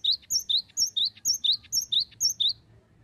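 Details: Cinereous tit song: a bright, high two-note phrase, a sharp upper note then a lower slurred one, repeated steadily about three times a second for nine phrases. A faint low hum sits beneath.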